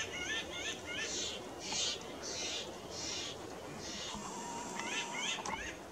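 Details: Pinyon jays arriving by the dozens on a visit: short nasal, harmonic calls in quick runs of three or four, one burst at the start and another near the end, between loud rushing bursts of wind-like noise.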